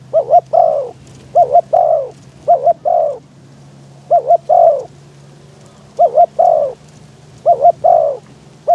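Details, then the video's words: Spotted dove kept as a trapping decoy, calling to draw in wild doves while wind blows hard. Seven repeated phrases, each a quick double coo and a longer descending hoot, with brief pauses and a low droning background. "ต่อนกเขาใหญ่ ต่อเพนียด เปิดประทุน เจอลมแรง ยังพอได้ลุ้น"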